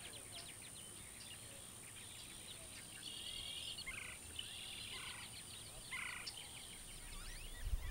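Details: Wild turkeys on a ranch in Scurry County, Texas, calling in the morning to greet the day and each other. Bursts of short, repeated yelping notes overlap through the clip, with rustling and a low thump at the end.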